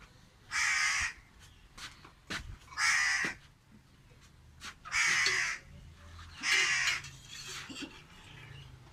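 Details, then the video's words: Lone crow perched in a tree, giving four harsh, drawn-out caws at roughly two-second intervals, with softer clicks and faint background noise between calls. "Emotional Crow Crying Alone on Tree"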